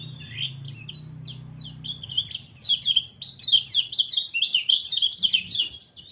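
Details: White-eye delivering a fast, jumbled high-pitched warble that starts with scattered chirps and builds into a dense stream of sweet slurred notes; a low hum sounds in the background at first.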